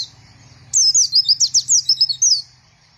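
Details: White-eye song: one quick, high-pitched phrase of about ten sharp, slurred chirps strung together over under two seconds, bright and tinkling, with a faint low hum underneath.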